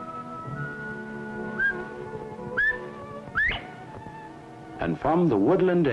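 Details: Northern bobwhite (Colinus virginianus) call in spring in the central and southern United States, described as the clearest call of all: three clear, rising whistled notes about a second apart, over music, with a man's voice speaking at the end.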